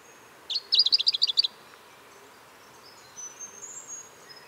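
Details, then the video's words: Pink robin of Australia singing a quick burst of about eight bright, high twittering notes lasting roughly a second, then quiet with a faint, thin chatter later; soft background hiss. "Как поёт Австралийский снегирь / малиновогрудая петроика?"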